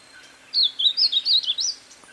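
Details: A Blackish-blue Seedeater sings one quick warbled phrase of bright, slurred notes rising and falling for just over a second, over a faint hiss. Its song is used to teach other songbirds.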